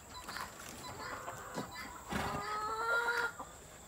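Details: Male Sri Lanka junglefowl, normally timid but bold and even aggressive in the breeding season, gives short clucks, then a louder, harmonic, slightly rising drawn-out call near the end, over a steady high hiss.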